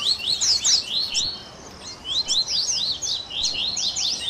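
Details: Double-collared seedeater song mix ('baderna': tui tui, grego, viviti, flauteado, 3ª nota) meant for training captive birds: short bursts of sharp, high down-slurred whistles, separated by brief quiet gaps.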